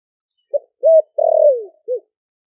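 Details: Cooing of a caged spotted dove from Ninh Thuận, caught wild four months earlier, in the deep 'giọng thổ đặc' style used to lure wild doves: short note, arched note, long descending coo, closing short note.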